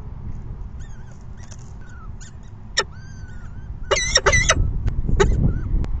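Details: Peregrine falcon chicks at an evening feeding, 6 PM, 14 May 2021, begging. Soft chirps, then one sharp scream near the three-second mark and a loud burst of harsh grating calls. One more scream follows, all over a low rumbling background.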